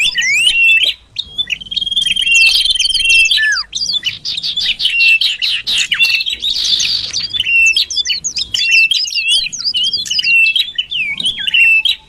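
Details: Common iora lure call, used to bring birds closer: continuous rapid twitter of looping, zigzag chirps over a sustained high trill, with a rough buzzy stretch midway and only brief pauses.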